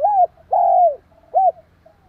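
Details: Spotted dove calling to provoke a rival dove. A clear three-note phrase: a short arched coo, a longer falling coo, then a brief rounded note, followed by a soft trailing coo.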